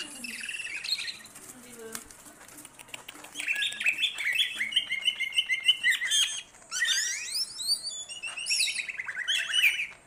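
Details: Greater green leafbird singing actively, recorded as a master for training songbirds: after a quiet start, long bursts of rapid whistled trills and chattering phrases, rich and varied, broken by a short pause midway.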